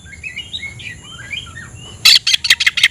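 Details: Oriental magpie-robin, calling a rival to fight, opens with soft, quiet warbled whistles that rise and fall. It then breaks into loud, harsh, rhythmic chattering bursts.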